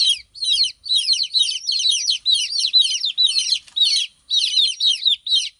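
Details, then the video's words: A brood of chicken chicks chirping continuously, shrill descending peeps in tight repeated clusters, roughly two bursts per second, one short break midway. "Cute Baby Chicks Chirping Sound"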